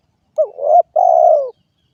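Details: Single phrase from a spotted dove (derkuku): a brief rising note sliding into a coo, then a longer level coo that falls at the end; clean and close.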